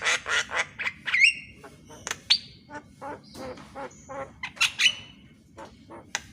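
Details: Javan myna morning song for training reluctant birds: dry clicks and harsh chatter interspersed with short rising whistles and a thin flat whistle, irregular loud bursts throughout.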